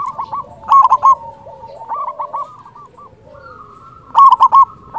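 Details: Loud local zebra dove calling as a trapping lure to provoke other doves: a rapid trill of four stuttering coos, then softer answering coos from other doves, then another loud burst three seconds later.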